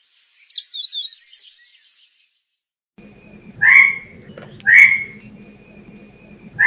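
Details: Bird calling: a brief high warbling trill, a pause, then loud sharp downward-slurred notes repeated about once a second over a low hum.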